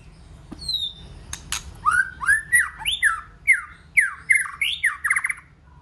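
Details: White-rumped shama singing in many voices, meant to stir other shamas into song: a rapid run of varied whistled phrases, some slurred downward, others rising, with sharp high clicks and notes between them and a quiet background.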